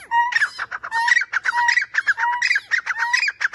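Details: Grey francolin call, one of three sound types: a short clear whistled note followed by a burst of harsh squeaky notes, the pattern repeating about every three-quarters of a second.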